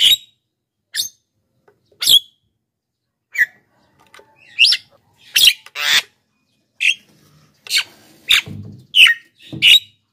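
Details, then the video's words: Black-winged myna giving a fast, uneven series of harsh squawks and chattering notes that grow denser toward the end, a recording meant to attract wild birds and stir lazy singers. "masteran JALAK KEBO super gacor,pancingan untuk bahan dan jalak yg malas bunyi"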